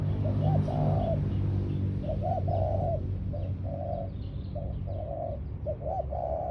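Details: Decoy spotted dove on the ground repeating a hollow three-part coo: two short rising notes followed by a longer mellow coo, about every two seconds, over a low hum.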